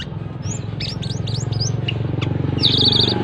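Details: Sooty-headed bulbul singing in the 'teler' style, offered as a companion tutor for thrush-type birds: quick rising and hooked whistled notes, then a buzzy warbled phrase, over a loud steady low hum.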